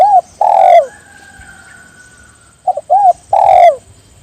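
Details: Spotted dove calling so that others join in, giving two coo phrases of short notes and a long falling coo, with a faint steady tone between phrases and a thin electronic whine behind.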